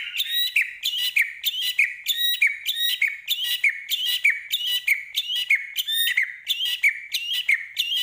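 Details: White-rumped shama of the Medan type, singing energetically with a full repertoire: one clear, slurred, descending whistled phrase with sharp high overtones, repeated steadily about every two-thirds of a second, with no other sounds.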